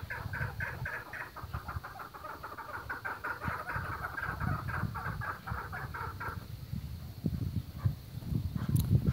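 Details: Chukar partridge on a breeding farm, a steady run of short clucking notes repeated several times a second for about six seconds, then fading into low rumbling background noise.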